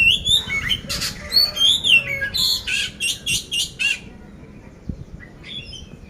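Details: Oriental magpie-robin from Magelang, Central Java, Indonesia, described as ready for competition and singing with a coarse, harsh-material style: loud bursts of whistled slurs mixed with rasping buzzy notes, rapidly repeated for four seconds, then fading to a faint note.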